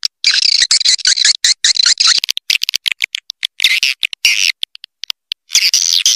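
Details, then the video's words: Swiftlet lure call meant to attract swiftlets: a long, bright buzzy twitter opens, followed by scattered clicks and short chirps, then further rasping chatter bursts. "Suara Panggil Walet Raja Liur Terbaru Call Swallow Birds"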